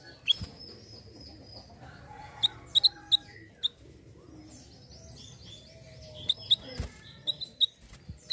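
Hill blue flycatcher giving sharp, high ticking notes and short thin whistles, some sliding down, scattered through the clip over a faint busy chatter.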